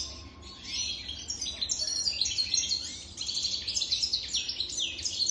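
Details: European goldfinch aged over three years singing strongly: fast liquid twittering and rippling trills, phrases tumbling one into the next, briefly quieter near the middle.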